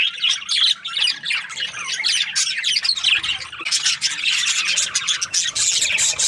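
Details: In the morning, several budgerigars chatter at once, a dense run of scratchy chirps, warbles and squawks that goes on without a break.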